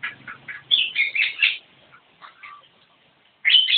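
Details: Javan myna in full "gacor" song: harsh, chattering bursts of mixed notes, loud strident phrases around the middle, then a short quiet gap before a sudden bright, squealing burst at the end.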